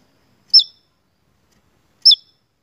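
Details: Javan tesia: two sharp, high, clipped notes, each bending down at the end, about one and a half seconds apart, against a silent background.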